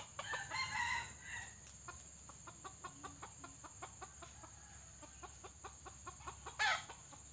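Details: White-legged pale ("bule") red junglefowl (Gallus gallus) used as a pikat decoy, in a training simulation: a short, harsh, clipped crow, then a run of dry, evenly spaced ticking taps, then a second brief crow near the end.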